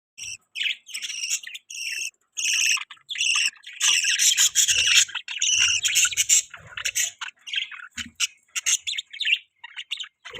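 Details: Pet budgies chirping: bursts of high, scratchy warbling chatter in quick irregular runs, with a near-continuous stretch in the middle before the phrases break into shorter clipped chirps.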